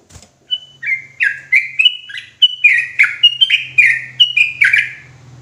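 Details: Agitated ropelan singing by a sooty-headed bulbul: a brief whistle, then a quickening series of loud, gurgling falling notes over a steady low electrical hum.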